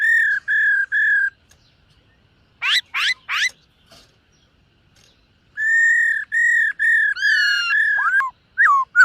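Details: Morning voice training of a silver-eared laughingthrush: three level whistled notes, a pause, three sharp steeply rising notes, then a long series of whistles ending in descending slurs.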